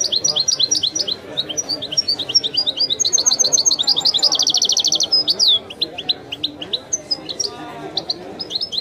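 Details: European goldfinch singing in the authentic Widani style, a recording of one bird: fast high twittering with sharp chirps, a dense buzzy trill of rapid notes near the middle, then looser varied twitters.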